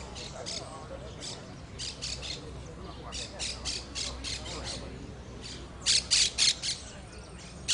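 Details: A saffron finch (jilguero) at a song contest winners' final, 12-01-14, gives short, bright chipping notes in quick runs of three or four, ending in louder, harsher bursts, with faint voices and background murmur.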